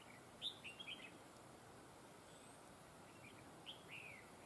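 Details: Trapping decoy red-whiskered bulbul with a double linked song: a bright whistled phrase of three quick notes ending in a wavering slur, silence for over two seconds, then a second similar phrase rising and falling.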